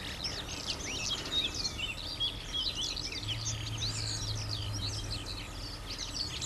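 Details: Eurasian skylark pouring out cheerful song: an unbroken, rapid jumble of high twittering and chirping notes, with a steady low hum of human traffic noise in the background.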